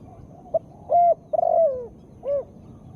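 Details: Spotted dove female call, used to stimulate birds that are slow to sing. A short blip, a level coo, a long fluttering coo sliding lower, and a final rounded arched coo, all in a low, mellow register.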